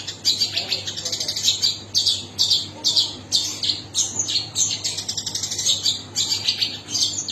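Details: Long-tailed shrike pouring out a long run of high, scratchy, rapid notes in short rhythmic phrases, some harsh and squawky, others thin and twittering.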